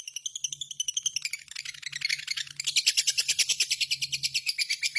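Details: Lovebird in full-song condition, kept as a pet, chattering in long ngekek style: high, scratchy notes in a rapid run that grows louder and denser midway, with a faint low hum beneath.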